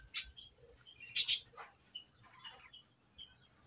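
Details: A new budgerigar colony, birds described as happy: sparse sharp chirps and short whistled notes with quiet gaps, including a loud doubled squeak near the middle.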